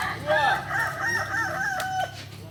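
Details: Kokok Balenggek rooster at a practice session in Solok. A short stretch of ringing, wavering crow syllables sounds over a low mechanical hum, with a sharp click near the end.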